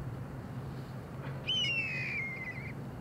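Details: A single harsh, drawn-out rasping call from a Steller's jay atop a tree, sliding gently downward, with a low steady hum in the background.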